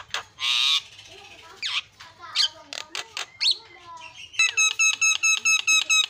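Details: Asian pied starling in provoking song: a loud harsh screech, assorted croaks, clicks and whistles, then a fast series of ringing metallic notes.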